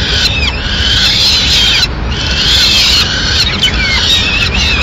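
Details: Madrid peregrine falcon nest, 6 May 2016, the female bringing in a pigeon: loud, rasping wails with sharp downward slurs, two long bouts split by a short pause, low hum underneath.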